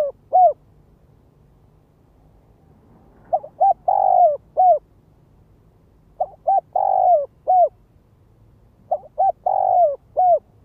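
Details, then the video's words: Spotted dove lure call used to provoke and draw in other doves: low hollow cooing phrases of several notes, the middle note drawn out and falling. Each phrase repeats about every three seconds in a quiet setting. "Tiếng chim cu gáy mồi đất Gáy Gọi Thúc Kích Bổi"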